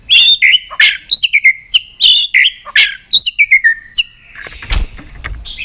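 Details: White-rumped shama in an excited, fired-up state, giving loud phrases of sliding whistles and sharp chirps in quick bursts, followed by a softer, scratchy tail with a few low thuds.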